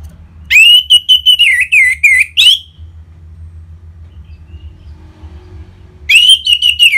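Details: Caged-bird stimulation song of an orange-headed thrush in ngeplong style: a sustained two-second run of loud, fluty whistled notes with looping slurs, silence, then a fresh fast burst of similar notes.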